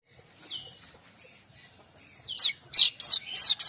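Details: Streaked weaver song used as a training model for magpie robins and other songbirds: soft thin notes at first, then a burst of loud, harsh, high chattering notes repeated about three times a second.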